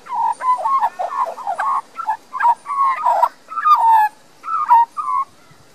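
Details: Australian magpie, a young resident bird in a Queensland garden, Australia, filmed on a Panasonic Lumix LX7; melodious carolling with quick runs of mellow whistles and chortles, some sliding downward, delivered in clustered phrases with short gaps.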